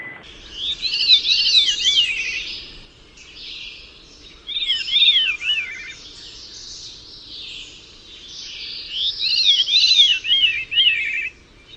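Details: Small bird chirping in rapid bursts of high, twisting notes, three clusters separated by brief pauses over a faint noisy background.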